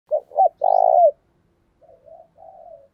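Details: Decoy spotted dove cooing to lure wild doves: two short hooting notes, then a long burry coo, followed by softer, fainter coo notes trailing off; quiet background.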